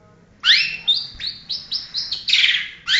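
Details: Long-tailed shrike, a national champion competition bird, singing sharp rising whistles followed by short clipped high notes and a harsh burst, in a quick varied phrase.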